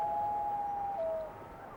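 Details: On a North American lake between sunset and night, a Common Loon gives a long, pure, mournful note held for about a second, then steps down to a lower tone, over faint hiss.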